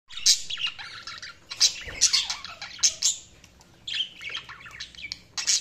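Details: Budgerigars chirping: a busy stream of high, scratchy chirps and squawks in rapid irregular bursts, several notes overlapping, with brief pauses around one and four seconds.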